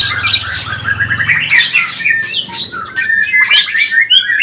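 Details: Agitated song of a pastol white-rumped shama meant to trigger other shamas: dense warbling and chattering notes with clear whistled slurs, continuous throughout, over a low background hum.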